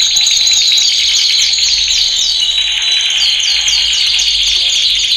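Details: Canary training song for males: a continuous buzzy high trill overlaid with scattered quick falling chirps throughout.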